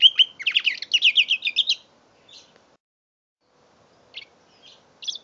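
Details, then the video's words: Mule canary aged five months giving a quick rattling trill of repeated notes lasting under two seconds, followed by near silence and a few faint scattered chirps. "My 5 months old mule canary"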